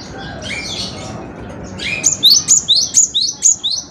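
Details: Gelatik batu, the cinereous tit, in lively song: after soft, hazy chatter, a crisp series of six bright, high double notes rings out at an even, brisk pace.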